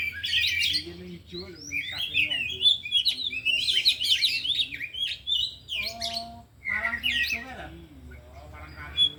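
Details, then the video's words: Afternoon practice of four kept oriental magpie-robins showing off isian fill-in phrases: long, varied outpouring of whistles, slurred sweeps and harsh chattering bursts, briefly pausing mid-way before resuming, then ending in scattered sharp notes. "Latihan Kacer di Sore Hari Biarpun Hanya Burung 4 Tapi Jalan Semua dan Bongkar Isian"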